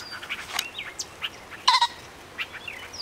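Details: Male pheasant hidden in thorny brush after chasing a person, giving a loud, harsh two-part cackle partway through. Thin chirps and whistles from other birds come before and after it.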